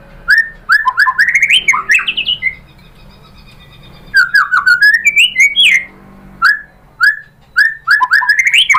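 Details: [6, 'White-rumped shama lure song to trigger answering; two bursts of quick varied whistled notes separated by a pause of about one and a half seconds, ending in spaced single whistles.']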